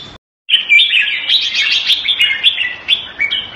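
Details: Red-whiskered bulbul, a caged bird kept Thai style in Singapore in February 2018, pours out a rapid, continuous chattering warble of lively whistled notes after a brief silent start.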